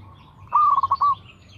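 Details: Single song phrase from a local perkutut (zebra dove), a lure recording to prompt other doves: one clear cooing note running into a rapid stuttered string of short mellow coos, then quiet.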